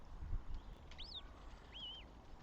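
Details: Northern goshawk at its nest holding three chicks and an egg, Tartu, Estonia, 7 May 2025: two separate arched, whining calls, each rising then falling, about a second apart, over a low background rumble.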